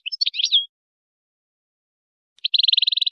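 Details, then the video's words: Moroccan wydani song of a European goldfinch, meant to tutor goldfinch chicks and hybrids: a brief jumbled twitter ending in a slurred note, silence, then a fast, even, buzzy trill of repeated high notes. "ويداني_مغربي _لتلقين فراخ الحسون والهجين"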